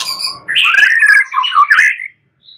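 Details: White-rumped shama singing at night, a short phrase of loud, slurred whistles that waver between mid and high pitch and end abruptly, followed by near silence and a faint high note.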